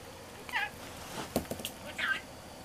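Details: Three-year-old male pet budgerigar in Mie Prefecture, Japan, who talks in Kansai dialect, rolling a ball while coming to wake its owner: two short, nasal, speech-like squeaky utterances with a few soft clicks between, in a quiet room.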